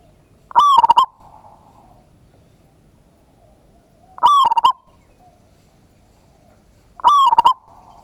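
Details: Local zebra dove recorded 16/11/25 as a lure to stir other doves into calling: three loud, throbbing coo phrases at regular intervals of about three seconds over a quiet background.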